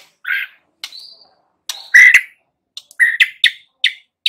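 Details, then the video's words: White-rumped shama sound meant to provoke young forest and pastol birds to sing: spaced, sharp whistled notes and chirps, some rising quickly, then several quick clipped notes near the end, with clear silences between them. "Pancingan Murai Batu MUDA HUTAN dan PASTOL agar GACOR NGEPLONG"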